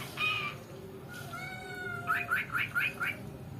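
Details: Talking pet cockatiel that imitates its owner's mother's words. It gives a short harmonic note, then a long level whistle, then five quick bright chirps in a row, over a low steady background hum.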